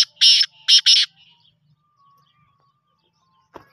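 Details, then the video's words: Black francolin calling: three loud, harsh, grating notes, the last two close together, then near silence and a faint knock. "kala tatter"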